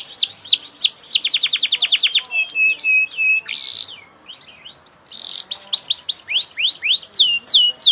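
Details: Canary singing sweeping whistles and a quick series of short repeated notes, a few flat whistled tones and a harsh note mid-phrase, then more descending swoops.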